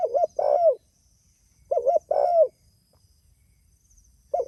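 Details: A spotted dove calls out to others with mellow coos: a quick double note then a longer slurred coo that drops at the end, repeated twice with pauses, faint hiss underneath.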